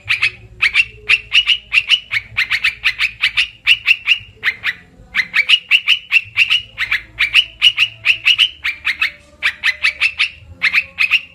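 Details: Olive-winged bulbul lure call for trapping birds: long series of harsh, buzzy chatter notes delivered in rapid rhythmic bursts, with a couple of brief pauses, and a faint low rumble beneath.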